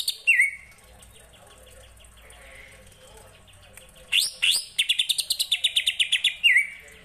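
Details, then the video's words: Kapas tembak style song of a greater green leafbird: a falling whistle, a pause, then a rising sweep into a rapid run of even, high chirps, closing with another curling whistle. "CUCAK IJO RASA KAPAS TEMBAK"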